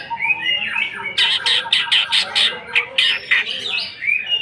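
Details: Greater green leafbird, a kept songbird, singing a loud burst of harsh, rapid repeated notes and squawky phrases, used as a lure to provoke other birds into singing; indoor setting.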